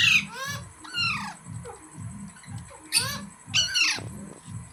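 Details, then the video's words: Green parrot producing rising and falling harmonic squawks in several bursts over a steady, rhythmic low pulsing beat. "Green Parrot Sounds Videos | Funny Parrot Sounds"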